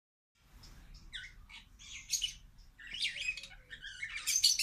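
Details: A captive superb starling in a zoo aviary at BIOPARC Valencia, Spain, gives a rambling, continuous, high-pitched song of quick chirps, squeaky whistles and scratchy notes over a low background hum.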